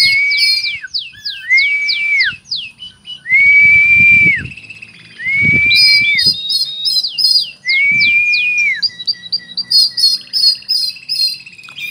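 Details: Oriental magpie-robin song rich in cricket mimicry: loud whistled phrases with clear sliding notes and slurred upsweeps, separated by short pauses, over faint low background hum.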